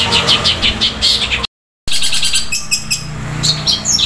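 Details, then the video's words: Cendet (long-tailed shrike) with fast, loud sparrow-like chirping in its fighting-style song: quick high twitters in a row, a brief dropout, then more scattered sharp chirps over a low background rumble. "Masteran Cendet suara gereja tarung roll speed tembak volume keras panjang"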